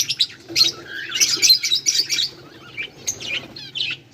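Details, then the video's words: Budgerigars chattering on 18 July 2023 with a rapid jumble of high chirps, squeaks and warbled notes in uneven bursts, a faint hum beneath. "budgies beautiful sounds and chiriping"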